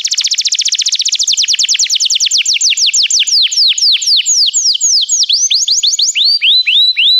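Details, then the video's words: A canary's song used to make another canary start singing: opens with a rapid rattling trill, then slows into rows of clear downward-swooping whistles, ending with a few spaced rising-falling notes. "O som de um canário é eficaz para o seu canário cantar"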